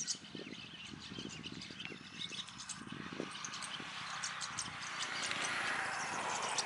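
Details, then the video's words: Migratory rosy starlings in India, eating banana, keep up a busy chatter of short, harsh clicks and squeaky notes, several per second, over a steady rising hiss of background noise. "Rosy starling calls"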